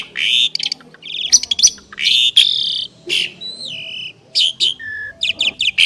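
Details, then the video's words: Two prized Asian pied starlings duetting with loud harsh screeches and rasps, broken by pauses, clear descending whistles and short squeaky notes. "Jalak Suren Istimewa | Duet 2 Burung Juara"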